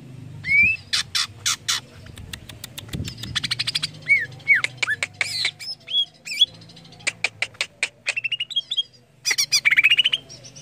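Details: Greater green leafbird song to spur other leafbirds into singing: lively sequence of whistled upslurs and hooked notes interleaved with sharp buzzy clicks and bursts, steady low hum underneath.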